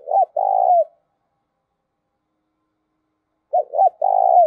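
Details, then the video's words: Spotted dove coo used as a decoy to urge other doves to call: a phrase ending in a long low coo, a pause of about three seconds, then two short clipped notes and another drawn-out mellow coo. "tiếng chim cu gáy Mồi thúc và gáy gọi"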